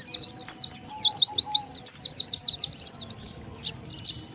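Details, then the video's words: High-pitched Oriental white-eye twitter, played as a lure to gather wild white-eyes: a continuous run of sharp, slurred chirps that quickens near the end and then breaks into a few short notes, over faint background hum. "SUARA PIKAT BURUNG PLECI SANGAT AMPUH,DENGAR SUARA INI BURUNG PLECI LIAR LANGSUNG NGUMPUL"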